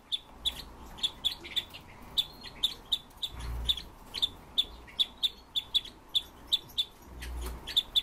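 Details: Red-billed leiothrix, a caged home bird, repeating short, bright chip notes at a steady clip, roughly two or three a second, with a few soft low thumps in the background.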